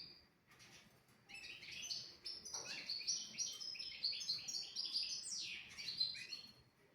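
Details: Tutor song of a European goldfinch, used for training young goldfinches and canaries: after a few soft opening notes, a fast, continuous run of bright, high-pitched twitters and tinkling chirps with brief buzzy accents, tapering off at the end.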